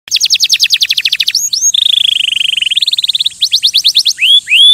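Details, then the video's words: Canary singing: a quick run of rising whistled notes, then a long rolling buzzy trill held at one pitch, followed by more rapid chirps and two sweeping upslurred whistles. No other sounds. "Красивое пение канарейки"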